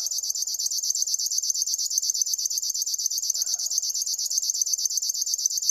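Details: Rhythmic, sewing-machine-like chirring from a River warbler, high and dry, repeated evenly throughout, with a faint low call heard once in the middle.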